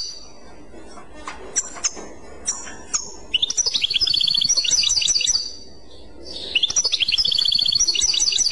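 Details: Clochette song of a European goldfinch: scattered thin high call notes at first, then two bursts of rapid, liquid, repeated twittering trills separated by a brief pause.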